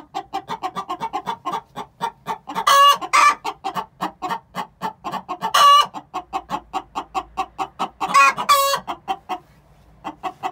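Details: Chicken (Gallus gallus domesticus), 6-month-old hens: egg song, sung before laying, though no egg was laid on camera. A rapid, steady stream of clucks broken every few seconds by loud, drawn-out squawks.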